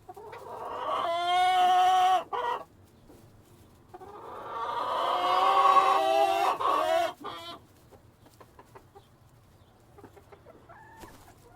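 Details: Rooster with hens crowing twice: a short harmonic burst, a pause, then a longer, rising-and-falling crow of about three seconds. Faint knocks and a soft cluck follow in the quiet.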